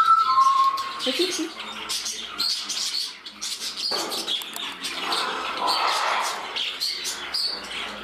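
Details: Pet budgerigars indoors, one becoming temperamental as a brother courts a companion: opens with clear whistled notes sliding downward, then rapid busy chirping and rustling chatter.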